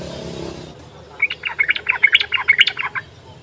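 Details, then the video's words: Lure recording of a yellow-vented bulbul for bulbuls reluctant to sing: after low rumbling, a fast burst of bubbly, chirping notes runs for about two seconds. "ropelan dan panggilan burung trucuk ini sangat memikat bagus buat pancingan trucuk malas bunyi"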